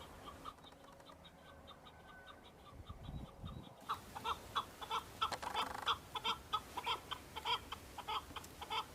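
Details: Several male Chukar partridges on Bamo mountain, Kurdistan, fighting and displaying to females in breeding season; after a quiet, muffled start, rapid chuck notes repeat roughly every half second in uneven bursts.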